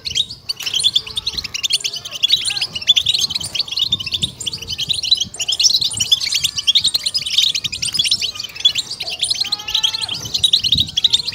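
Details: Several European goldfinches sing together in the 'bitbita' style used to excite birds: continuous jingling chatter, briefly thinning near the start, then dense again.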